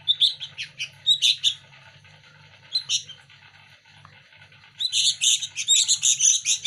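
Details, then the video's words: Sooty-headed bulbul chicks beg for hand-fed food. A few bursts of high chirps give way to a quiet stretch, then a loud, continuous run of rapid, scratchy chirping. "Anak burung Kutilang lokal asli gacor rebutan makan lolohan setiap Hari"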